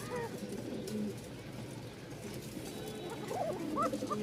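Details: A male Bashiraj domestic pigeon, one of a pair of short-beaked high-flying Giribaz birds, somewhat frightened in a new place, gives low, rolling coos beneath a man's voice; Domestic pigeon.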